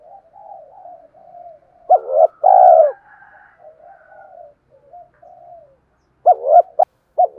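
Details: Spotted dove cooing, used to lure wild doves: soft low coos drift through the first seconds, then a loud phrase of a short note, a rolling purred coo and a clipped note, with a further burst near the end.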